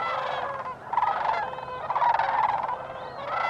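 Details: Sandhill cranes calling at Bosque del Apache National Wildlife Refuge, Socorro County, New Mexico, recorded December 9, 2015: overlapping rolling, trumpeting bugles from many birds, a continuous chorus with louder purring rattles near the middle.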